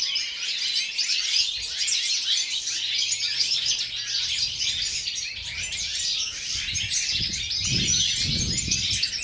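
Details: European goldfinches, many birds in an aviary during winter at minus four degrees, sing a dense twittering chorus of sharp tweets and trills; low rumbling thumps appear in the second half.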